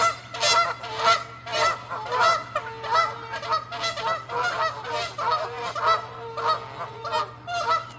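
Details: Canada geese fighting and chasing one another in territorial, angry encounters; loud harmonic honks pour out in a dense, overlapping stream, roughly two per second, from several birds at once, with a steady low hum underneath.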